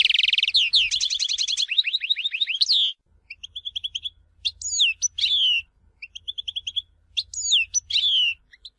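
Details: European goldfinch from Tizi Ouzou opening with a rolling run of rapid chirps, then spaced phrases of short repeated notes and sharp up-and-down whistles, with faint low rumble between.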